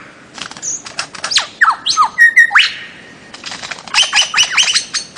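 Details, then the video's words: Bird-of-paradise from Papua and the Aru Islands, Maluku: harsh squawks and rapid clicking bursts mixed with sharp whistled notes that sweep up and down, and brief steady whistles, in an outdoor setting. "kicau burung cendrawasih"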